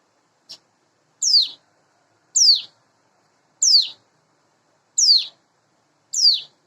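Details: Sunda bush warbler, locally ciblek gunung or cigun, a caged hand-reared bird about eight months old, singing in the morning; a thin, very high, sharply descending whistled note repeated about every 1.2 seconds, five times, after a faint short tick.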